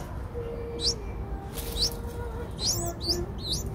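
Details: Eight-day-old Streak-eared Bulbul (Pycnonotus conradi/blanfordi) nestlings, which open their eyes at 7 days, give thin, high, squeaky chirps, singly then in a quick run of three, over low hum and rumble; Ubon Ratchathani, Thailand, 10 April 2023.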